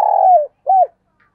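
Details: Fragment of a decoy spotted dove's urging coo: a long burred note gliding downward, then a single rounded closing coo, and silence after it.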